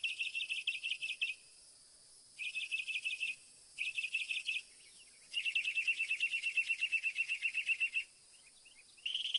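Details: Northern mockingbird singing: bursts of fast, repeated chirping notes in phrases about a second long, separated by short pauses, then a longer rolling trill of evenly spaced notes and a fresh phrase starting; a steady high hiss runs throughout.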